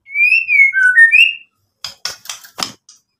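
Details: White-rumped shama song meant to rile rivals into replying: long pure whistles gliding up and down, then a stepped lower whistle, followed by a burst of four or five harsh, crackling rasps.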